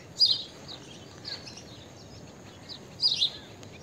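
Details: Blue-tailed bee-eater (Merops philippinus) calling in open country: two short, high, trilled chirps about three seconds apart, with faint fainter notes between, over low steady background hiss.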